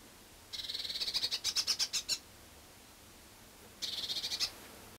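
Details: A Eurasian blue tit (Cyanistes caeruleus) at a winter feeder and drinking station in Budapest-Csillebérc, Hungary, on 1 January 2011 gives a fast scolding churr, a dry buzzy rattle of about fifteen notes, then a shorter burst after a pause.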